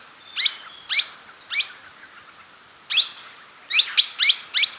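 Blossom-headed Parakeet giving short, shrill, rising tui notes, three spaced about half a second apart, then a brief pause and a quicker run of four.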